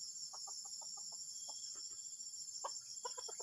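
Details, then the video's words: Strange call of a junglefowl: quick bursts of clipped clucks in uneven clusters, a loud pair near the end, with a constant shrill insect hum behind. "AYAM HUTAN SUARA ANEH PENGGANGGU"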